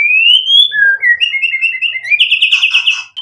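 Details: White-rumped shama singing a lure phrase to stir rival birds: a rising clear whistle, a series of short pulsed notes climbing stepwise, and a closing buzzy rapid trill.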